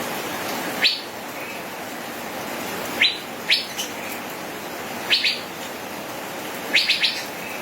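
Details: Male Asian fairy-bluebird (cucak biru) singing gacor ropel: bright upward-sweeping notes in ones, pairs and a final quick triplet, separated by pauses of one to two seconds, with steady hiss.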